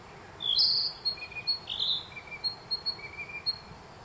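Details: Narcissus flycatcher singing in spring forest at Myojin, Kamikochi, Japan, June 2021; a light, varied song opening with a loud high whistled phrase, then a scatter of short high chips and lower notes over a quiet background.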